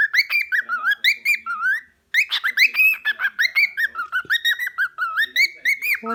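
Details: Grumpy pet cockatiel indoors, protesting at not being allowed to eat its owner's food; a rapid stream of loud, bright chirps and short whistled notes, some rising and some falling, with a brief pause midway and a woman speaking softly.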